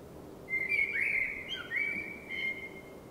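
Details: Springtime blackbird singing after dark: a long, clear fluting warble lasting over two seconds, sliding and wavering with brief high twitters, above a soft constant background hum.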